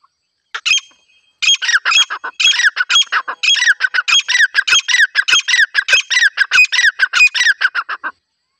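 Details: Harsh, squawking call of a female grey francolin (desi titar), a call used for hunting, heard in a village setting. After a short opening note, the grating notes repeat rapidly and steadily, roughly a hundred a minute, for about seven seconds.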